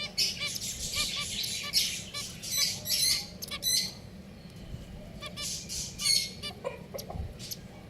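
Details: Several pet finches give bright, clipped chirps in loose clusters, some notes doubled, with louder bursts every second or so over a steady low hum.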